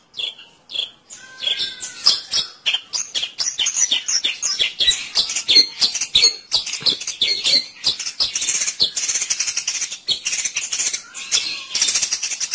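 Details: Long-tailed shrike call played as a trapping lure: a loose run of dry, rasping notes about one and a half per second, growing denser and noisier toward the end.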